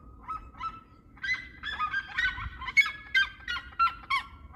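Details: Red-legged seriemas singing: a short yelp, then a building series of loud, harsh, nasal yelping notes with rich overtones, about one per second, sometimes overlapping, over a faint low rumble.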